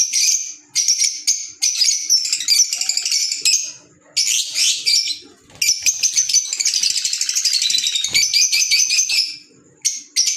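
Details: Green Fischer's lovebirds, kept as pets, give shrill high chattering calls in dense bursts separated by short pauses, with rapid twittering notes overlapping throughout.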